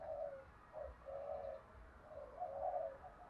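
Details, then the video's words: Spotted dove in Vietnam singing a full 'thúc gù' cooing song: low, soft coos in a rough run of phrases, partly blurred by steady background hiss and low rumble. "Tiếng chim cu gáy thúc gù gáy gọi đủ bài bổi nghe là gáy sung mãn xuất ngày"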